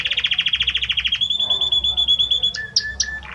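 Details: Belgian canary male sings for his female, opening with a rapid repeated trill, then a long steady whistle and a few sharp high notes ending in a buzzy phrase.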